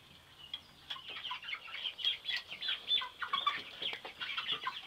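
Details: Seven-week-old chickens recently moved outside, a group calling together: a steady stream of high, thin peeps and short chirps, some falling in pitch, overlapping continuously, with a light background hiss.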